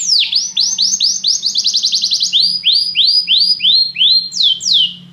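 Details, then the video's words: Canary training song meant to prompt another canary to sing: a fast series of loud, high descending sweeps, then a quick rapid trill and more drooping swept notes, with a faint low hum beneath. "Este canto canário inspira o apetite do seu canário para cantar imediatamente"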